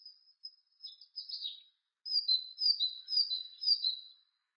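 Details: Great tit (Parus major) begins with thin high notes and a few descending chirps, pauses, then delivers four rhythmic two-note whistled phrases, high then lower, about two per second.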